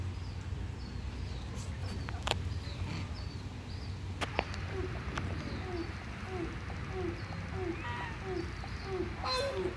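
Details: Endangered Grey crowned crane, rarely heard calling, giving short, low honking notes about twice a second, with higher chirps from other birds, a few sharp clicks and a steady low rumble.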